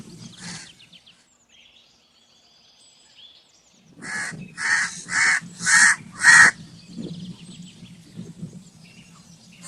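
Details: Crow calling in a rapid burst of five harsh caws, the last ones loudest, preceded by a single distant caw and followed by low background rumble.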